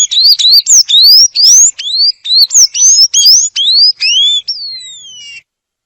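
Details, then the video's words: Sayaca tanager song: a fast, continuous string of thin upslurred squeaky notes, some doubled, ending with a longer falling whistle, with no other sounds. "CANTO DO SANHAÇO AZUL A FAMOSA PIPIRA"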